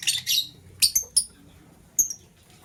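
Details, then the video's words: Lovebird chirping in the morning, green bird calling while a blue one scrambles for vegetables; a string of short, piercing, high chirps and squeaks in uneven clusters, separated by brief silences. "Green LoveBird Chirping Sound"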